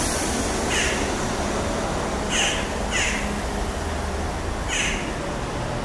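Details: Jackdaws at Sowerby Bridge on 19 June 2023 give four short, sharp 'tchak' calls at uneven intervals, over a steady low rumble of traffic.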